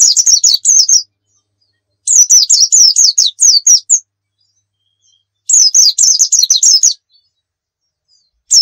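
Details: Tutor recording of a pleci dakun white-eye from Pacitan singing in the 'nembak' style: three quick volleys of shrill chattering chirps, each one to two seconds, with silences of about a second between.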